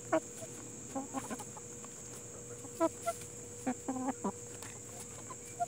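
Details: Plymouth Rock and Hamburg chickens giving scattered short clucks a second or so apart, with a brief stacked, ringing call midway, against constant background hiss and a low steady hum.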